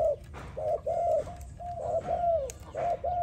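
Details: Spotted dove cooing, used as a training sound: a quick run of soft, hollow, mid-pitched notes, some ending in a slight downward slur, over faint background hum.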